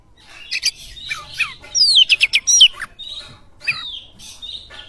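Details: Lure song of an Oriental magpie-robin, meant to make listening birds sing: rich varied phrases of loud, steeply falling whistles mixed with short harsh chips and buzzy notes, delivered in quick irregular bursts.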